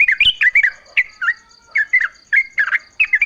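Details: Yellow-vented bulbul giving short bubbly notes, meant as a lure so other bulbuls sing in reply. Brisk two- and three-note warbled groups recur roughly every half second, backed by a constant thin high tone.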